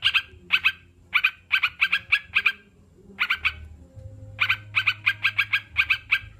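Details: Sooty-headed bulbul uttering bursts of short, sharp notes, a pause around the middle, then a fast, regular series of paired notes.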